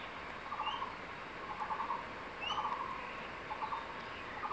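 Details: In secondary forest, a male crested goshawk at the nest calls for his mate to take a fresh tree lizard. Fast pulsed bursts recur irregularly, about one per second, with a few high upslurred whistles from another bird.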